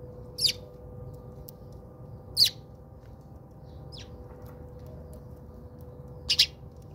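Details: House sparrows bathing at a home in South Africa; brief bright chirps every two seconds or so, some doubled, against a quiet background hum.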